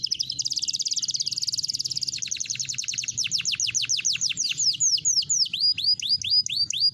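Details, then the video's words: Green canary in full song, opening with a long, even rolling trill that changes into faster clicks, then a series of sharp downward-sweeping whistled notes repeated about twice a second. "KENARI BON IJO INI MANTAAP KALI LAGUNYA"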